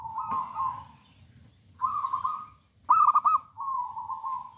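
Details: Local wild-type zebra dove, bold and vocal, used to lure and train other doves: four low cooing phrases, the third a loud clipped staccato trill, the others smoother and wavering.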